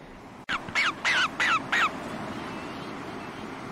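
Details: White-faced storm petrel (Pelagodroma marina) call: five harsh, rasping notes, each sliding downward, in quick succession over about a second and a half, over a steady low rumble of wind or sea.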